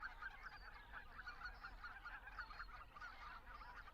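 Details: Greater white-fronted geese calling in flight while migrating through Estonia toward Arctic breeding grounds, a spring stopover of three to four weeks; a dense chorus of overlapping yelping honks from many birds, with a steady low rumble beneath.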